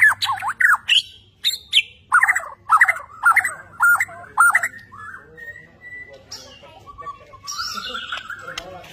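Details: White-rumped shama of the Borneo type singing vigorously: a string of loud, fast swooping whistled notes about twice a second, then softer sustained whistles and varied twittering.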